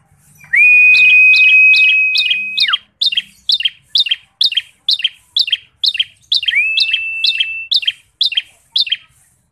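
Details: Bar-winged prinia described as an aggressive fighting bird, with loud, evenly spaced sharp notes repeated about twice a second and a long, steady, level whistle held under the first and last parts.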